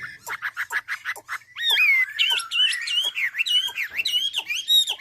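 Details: Ha Giang hwamei, Vietnam, natural song for training birds: a rapid series of short clipped notes, then clear, ringing whistled phrases that swoop up and down, repeated with variations.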